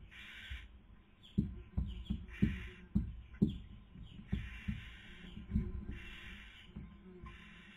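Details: Barn owl nest in Cabañeros National Park, Spain, 2020 breeding season, female feeding and male trying to sleep; several rough hisses alongside a run of sharp knocks and taps from movement in the nest.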